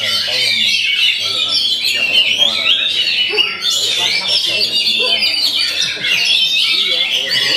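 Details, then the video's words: Oriental magpie-robin (kacer) in vigorous, varied song: tumbling whistles, buzzy trills and sharp chirps packed closely together, two short lulls partway through, with faint lower sounds, possibly people talking, beneath the bird. "Ngeri aksinya burung Kacer ini"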